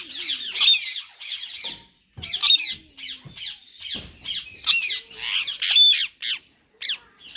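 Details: A white ringneck male rose-ringed parakeet and a green partner, in talking mode, give rapid series of shrill, harmonic squawks, closely spaced, with brief pauses and a few quieter low notes.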